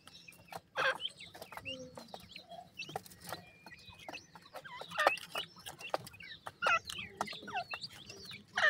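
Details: Black francolin chicks held in captivity, reported as weak, utter scattered high peeping whistles that slide downward, separated by brief pauses, with sharp taps and clicks throughout.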